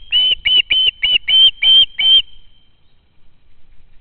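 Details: Young osprey at its home nest, hoping to be fed by a parent, recorded from a live nest camera in August 2013: seven shrill, whistled screams in quick succession, then silence.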